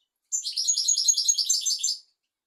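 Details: European goldfinch song intended for teaching goldfinches and canaries: one continuous, loud, high, rapid twittering trill with a ringing, buzzy quality lasting under two seconds, with clean silence before and after.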